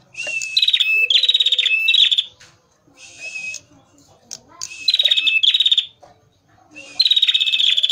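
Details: Male prinia (prenjak merah) recorded as a lure sings repeated phrases of harsh buzzy notes running into rapid, high, rattling trills, three bouts over several seconds with quieter pauses between.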